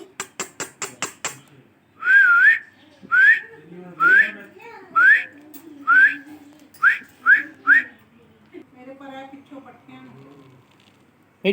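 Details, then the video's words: Pet parrot indoors giving a quick series of sharp clicks, then a run of short rising whistles repeated about once a second, followed by softer muttered speech-like sounds. "Parrot Talking"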